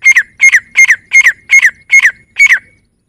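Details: Rapid run of seven grey francolin call phrases. Each is a paired whistled note falling in pitch, delivered almost three times a second, then the series stops. Background is silent.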